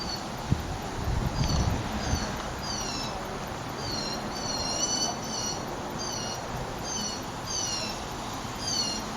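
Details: Several blue jays calling: short, clear harmonic notes that slur downward, given in quick pairs and triplets every second or so, over steady low background rumble.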